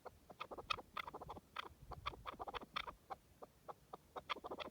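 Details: Partridge calling in open wild terrain: a loose series of throaty chuk notes, some paired, over low background rumble.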